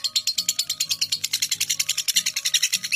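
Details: Lovebird delivering long ngekek, the record seven-minute non-stop trill used to prompt young lovebirds: dense, high, scratchy chatter repeated quickly and evenly, with low humming tones in the background.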